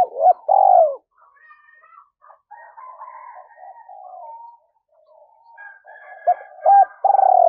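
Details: Female spotted dove kept as a decoy, calling to provoke males: loud low arched coos at the start and end, with fainter murmuring coo notes in between.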